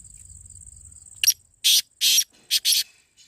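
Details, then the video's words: Black francolin calling, played to make francolins answer: a quick sharp note, two long harsh grating rasps, then two shorter scratchy notes, the five-part phrase lasting about one and a half seconds over a thin high-pitched whine. "تیتر کی بولیاں - کالا تیتر بلانے کا طریقہBlack Teetar Voice"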